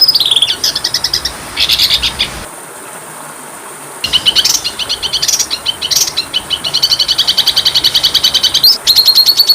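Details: Kacer, or Oriental magpie-robin, masteran song for training birds. Rapid high trills and buzzy stuttering phrases alternate with whistled notes. After a mid-clip pause comes a long, steady run of fast repeated chips.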